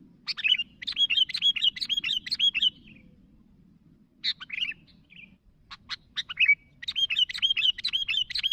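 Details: Sooty-headed bulbul calling to others: bursts of bright, bubbling chirps, each note quickly rising and falling, repeated in fast runs separated by short pauses, with a few sharp single clicks in between.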